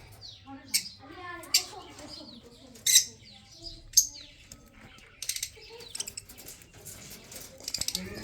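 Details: Budgerigars kept for breeding, recorded March 15, 2024, chatter with bursts of rapid twittering and harsh scratchy squawks spaced about a second apart, growing into dense chirping toward the end.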